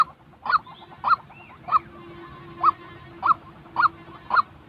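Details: A white-breasted waterhen, recorded to train trapping decoys, gives evenly spaced honking notes about every half second over a low steady hum.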